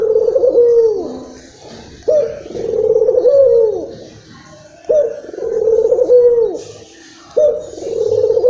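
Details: Local Barbary dove from Indonesia, worked up and cooing to stimulate other doves; four steady, purring coos, each a low roll ending in a downward slur, spaced about two and a half seconds apart.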